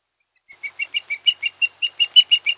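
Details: Osprey pair at their nest on Kent Island, Maryland, in late August, early morning: a series of short, sharp whistled chirps that starts soft and grows louder, repeated about six times a second.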